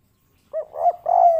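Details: Kuk 3 local spotted dove sounding two short coos then a long, steady, mellow coo, clean and close.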